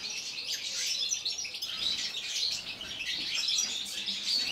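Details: European goldfinches singing in an aviary in winter, kept birds that sing all day; dense, continuous high twittering and tinkling chatter with several birds overlapping, no clear pauses.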